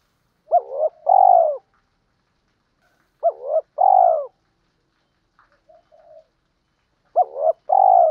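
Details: Cooing of spotted doves used as a lure to stimulate training birds, male and female: three matching phrases roughly every three seconds, each a quick up-down note then a long mellow coo, with soft notes between.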